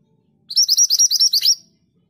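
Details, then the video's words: A scarlet minivet delivers a rapid burst of around nine sharp, high-pitched chirping whistles in about one second, evenly spaced and bright, with nothing else audible around it. "BURUNG MANTENAN GACOR ROLL PANJANG"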